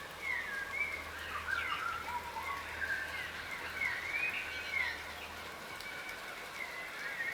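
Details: Yellow rosellas, a subspecies of crimson rosella, feeding on the ground and wary. Overlapping whistled chatter with rising and falling notes goes on throughout, over a steady low hum.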